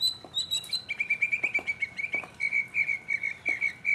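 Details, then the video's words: Mockingbird singing alone in 2015. A high whistled phrase is followed by a steady, rapid run of identical chirped notes, about four per second. "mockingbird Solo 2015"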